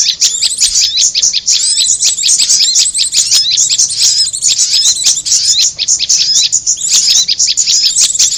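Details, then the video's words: Bird-luring audio pairing prinia with korlap: a steady stream of shrill, rapid chirps and twittering notes, tightly packed and unbroken. "Suara pikat korlap dan Prenjak bawah"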